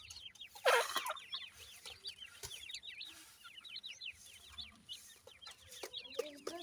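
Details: Grey partridge new-season chicks with their parents give a steady stream of thin, high peeps, several per second and overlapping, with one louder harsh call near the start.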